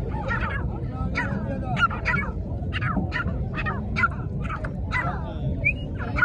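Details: Dakhni fighter partridge giving short, harsh broadband notes repeated about twice a second with uneven spacing, some ending in brief higher squeaks, over constant low background rumble.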